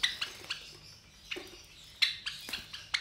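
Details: Three Java sparrow chicks aged about 23 days, kept in captivity and hatched to white parents, making harsher, slightly buzzy high chirps in quick pairs and clusters against light background noise.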